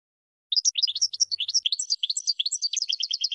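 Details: Lively goldfinch warble of varied tinkling notes, mixing liquid chirps with quick twitters, then settling into a steady run of repeated twittering notes near the end; no background noise.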